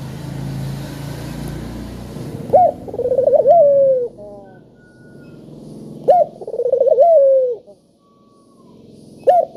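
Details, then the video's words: Spotted dove lure calls to start other doves calling: after a noisy, hissy opening, three phrases of a sharp note, a rolling quaver and a downslurred coo, roughly three and a half seconds apart. "Burung Puter Gacor Suara Merdu,Tajam Cocok Buat Pancingan Yang Pemalas Bunyi"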